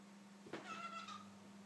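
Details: A young cockatiel, about 9 months old, gives a brief, steady whistled note after a sharp click over a low electrical hum; he makes such noises while eating.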